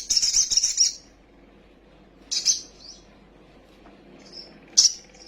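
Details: Agitated sunbird (kolibri sogok otong) song used as a lure for birds: a one-second shrill trill, then a short sharp burst and a few faint high notes after a pause, ending with another brief piercing chip.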